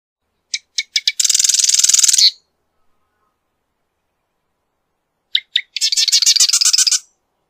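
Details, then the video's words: Two marsh wren songs, each starting with three or four separate ticks, then accelerating into a long, harsh, buzzing trill of rapidly repeated notes. "Marsh Wren Song! Marsh Wren Call! Marsh Wren! - Cucarachero Pantanero Canto"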